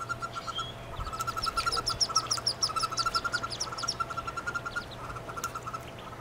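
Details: Brood of wood duck nestlings inside a nest box shared with one hooded merganser chick, 2013 season; rapid high peeping runs, several per second, with a faint steady hum underneath.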